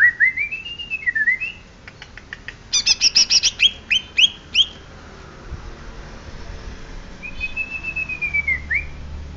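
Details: Greater green leafbird of the Banyuwangi type: clear whistled phrases rise and fall, then a burst of rapid, high, sharp chips, and finally a long, slightly falling whistle, over a low steady hum.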